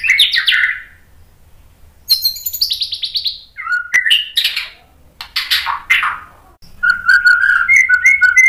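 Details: Varied song of a white-rumped shama used to provoke other shamas: full descending whistles, pulsed chatter, several slurred downward notes, then a steady warbling phrase at the end.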